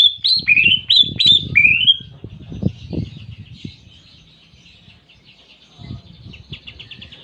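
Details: Greater green leafbird with canary imitation: four loud, high, sweeping whistles in the first two seconds, then a faint rapid trill that fades, with low background rumble and knocks.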